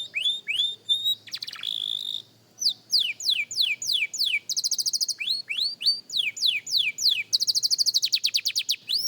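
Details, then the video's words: Young canary practising song mixes rising whistles and a rough broad note with repeated descending sweeps. Fast, tight trills run at high pitch. "Young Canary Singing Practice – Surprisingly Good for a Beginner!"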